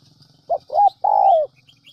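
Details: Single spotted dove phrase from a decoy recording played to attract doves: two short rising hoots then one long, smooth, gently descending coo, with faint high bird chirps in the background.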